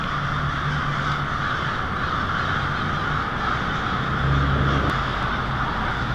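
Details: Hundreds, perhaps thousands, of American crows gathering to roost for the night on Mary Avenue, Lansing, Michigan, on the evening of February 1, 2016; a dense, continuous wall of overlapping caws, with a low steady hum underneath.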